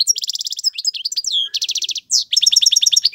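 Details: Male European goldfinch, song for teaching chicks: fast rattling trills of repeated high notes alternate with slurred swoops and one harsh buzz, delivered almost without pause.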